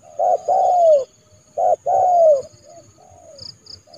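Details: Spotted dove used as a trained decoy to call a rival into a yard trap in January; two loud phrases of clipped notes and long falling coos, then a softer distant coo and high chirps.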